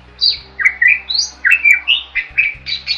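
A starling sings a lively, varied run of whistles, slurred rising and falling notes, and short chattering bursts, about three phrases a second, with nothing else heard.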